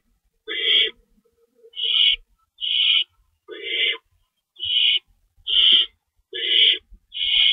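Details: Nest at feeding time before dawn, March 25 2012, an adult owl tearing up rabbit for the young; eight rasping, hissy screeches come roughly once a second, some with a lower buzzy layer.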